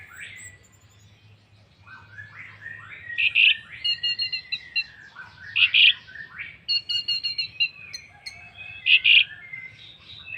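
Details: Orange-headed thrush singing a lure song meant to set other birds singing: varied high phrases of short slurred whistles and sharp chirps, with louder bright notes at intervals, over a quiet low hum.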